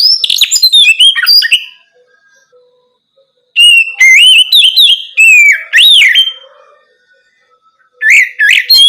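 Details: Oriental magpie-robin singing loudly at night, used as a prompt so young birds start answering; rich whistled phrases with rising and falling slurs, two bursts separated by a long pause.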